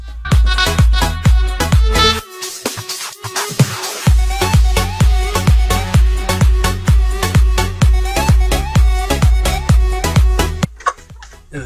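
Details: Steady electronic dance music with a thumping beat at about 128 per minute; no animal voices come through.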